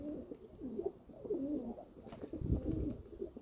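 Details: Domestic pigeons kept by their owner, recorded 27 May 2022 at 14:41, giving low, throaty, rolling coos in overlapping bursts that rise and fall, with several phrases through the clip and a soft background murmur.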